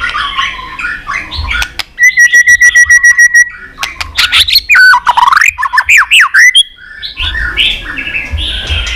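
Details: Fighting-style, many-voiced chattering song of a white-rumped shama: warbles, a long steady buzzing rattle of rapid identical notes, then loud swooping whistled slurs, with quieter chatter afterward.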